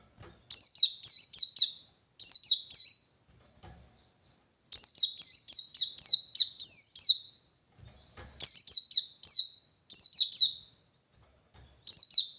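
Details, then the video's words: Wild white-eye in Indonesia calling out for a rival: long series of shrill, rapid chirped notes sliding downward, in runs of two to six, with brief pauses and no other sounds. "Burung Pleci Ngalas 123 Mencari Lawan"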